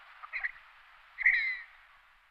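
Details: Red-breasted merganser calling: a rough, croaking burst followed by a longer harsh, slightly descending grating note, mid-pitched and raspy.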